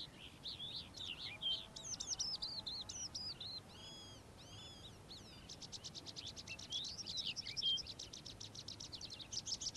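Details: Calandra lark (Melanocorypha calandra) singing in the morning pours out a fast, continuous jumble of high chirps, slurred whistles and rapid trilled runs, with faint background noise.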